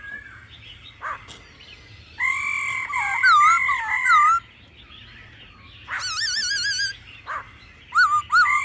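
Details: Laughingthrush singing in wild-forest style alongside female calls to excite a freshly caught bird. Scattered harsh chips, then long level whistles ending in wavy slurs, a quavering high phrase, and short twisting notes.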